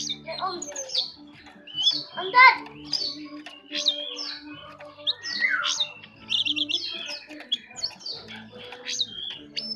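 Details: Jongkangan bird singing the soft ngeriwik halus twitter: scattered bright chirps and quick rising and falling whistles in short bursts with brief gaps, a steady low hum and possibly faint voices behind.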